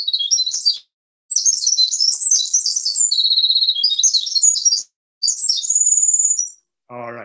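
A winter wren's long, rapid, tumbling song of high trills and warbles, broken by short pauses; a man's voice starts at the end.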